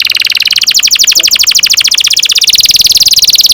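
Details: Long rolling canary song, played to train young canaries to sing: an even, rapid trill of high notes, about fifteen per second, that gradually shifts in pitch.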